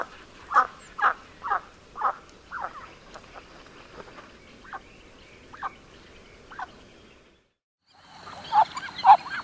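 A Muscovy duck gives a run of short, soft, mid-pitched notes about two per second, which slow and fade. A brief pause follows, then a few louder notes.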